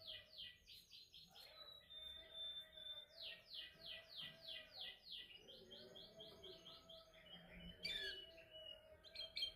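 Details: Canary in song training, practising its song: a long run of repeated downward-sweeping notes about three per second, with scattered trilled phrases and a steady background hiss.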